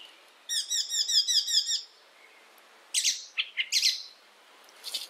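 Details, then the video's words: Icterine warbler from Europe, played to train songbirds: a rapid repeated high trill of bright notes, a pause, then harsh scratchy chattering bursts and a final squeaky note. "masteran Burung || icterine werbler burung kapasan asli eropa"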